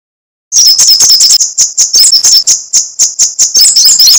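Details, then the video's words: Sunbird giving a lively, rapid chattering song of high, buzzy, metallic pulses repeated several times a second. After half a second of silence the pulses begin, with denser trilled bursts at the start and near the end. "Suara crecetan burung kolibri sogok ontong /srigati gacor"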